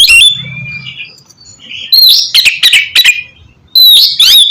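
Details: Oriental magpie-robin song used as training to make a bird sing: a loud opening whistle, a quiet stretch, then a lively cluster of sharp chirps and a final bright, rising whistle.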